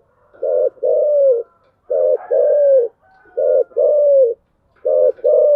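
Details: Spotted dove, chiêu gù coo in the thổ voice: mellow, hollow phrases of a clipped note and a longer downslurred coo, repeated four times at a regular pace, with soft whistled overtones.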